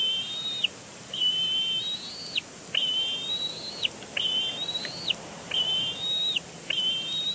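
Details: Nestling bald eagle at Big Bear Lake, April 27, 2022, carrying on a tantrum with its father nearby; a run of six high, thin, drawn-out squeals, each rising slightly and ending in an abrupt drop, spaced roughly a second apart.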